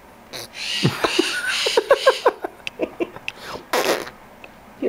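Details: A 2-year-old female pet Quaker (monk) parakeet blows a run of quick, sputtering raspberry bursts, about five in a second, between a person's cooing, chatty voice.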